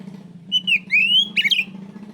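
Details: Oriental magpie-robin calling out a rival: a short run of clear whistled notes around the middle, sliding and rising, with a steady low hum underneath.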